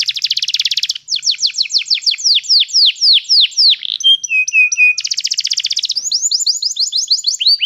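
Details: Song meant to train a canary: a harsh rolling buzz, a run of falling whistled slurs, brief steady tones, another buzz, then fast chattering trills, all high-pitched and clean.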